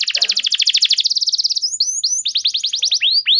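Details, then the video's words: Canary song meant to trigger other canaries to respond and sing: a long rapid rattling trill of even notes, followed by rising whistles and a series of clear descending sweeps. "Pancingan Burung Kenari Macet Bunyi! Ampuh Bikin Kenari Lain Langsung Respon Terpancing bakal Gacor"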